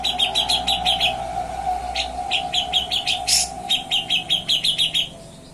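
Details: Grey-cheeked bulbul in busy nyepik ngetril song meant as training material for other birds: quick strings of bright, sharp chirps in rhythmic bursts with one harsher high note midway, backed by a constant droning hum.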